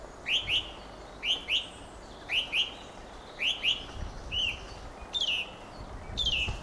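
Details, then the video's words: Fieldfare repeating paired, squeaky slurred notes roughly once a second, then some longer thin whistles and rasping phrases toward the end. "Fenyőrigó ( Turdus pilaris ) éneke."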